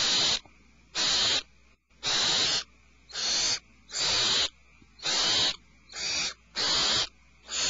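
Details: Hissing screeches from alarmed owlets in a nest cavity come roughly once a second, harsh and breathy, about nine bursts of slightly varied length.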